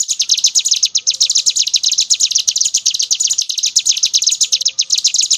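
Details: A high, metallic trill of rapid pulses from a brown prinia in ngebren song, flowing on with barely a pause.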